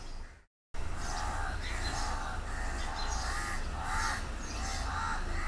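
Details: House crows give harsh, nasal caws in a steady overlapping series as a few crows attack a mating pair to prevent their mating, several birds calling over a heavy low rumble of wind or traffic.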